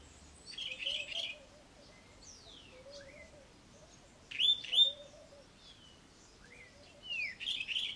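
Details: A garden Cape robin-chat delivers varied high phrases, sweeping slurs, sharp upward whistles and buzzy trills spaced a few seconds apart, while a softer low warble repeats quietly behind.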